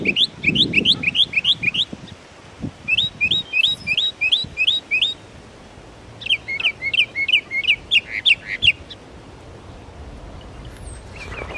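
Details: Northern mockingbird at East Boston's Belle Isle Marsh Reservation, Massachusetts, mimicking other species: a run of quick repeated upslurred notes, then a set of looping whistled phrases, then a faster chattering series, before trailing into quiet.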